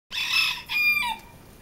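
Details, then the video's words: Young barred Serama rooster, decrowed after crow reduction surgery and described as very quiet; a raspy, hoarse two-part crow about one second long, a noisy burst followed by a tonal segment that falls at the end, with faint background noise. "Barred Serama, Quiet rooster, post crow reduction surgery."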